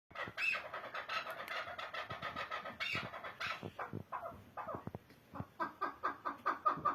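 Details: Chukar partridge calling: runs of short, clucking notes repeated in quick series, pausing briefly, then resuming with evenly spaced chucks that grow sharper toward the end.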